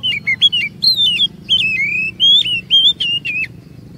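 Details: Lure song of an Oriental magpie-robin, meant to draw long varied singing from other birds; continuous loud whistled phrases sliding up and down, interspersed with brief sharp ticks.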